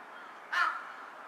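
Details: A single rasping, harsh caw from a carrion crow sitting on a power line and bowing with each call, on 18 July 2023, heard over a faint steady hiss.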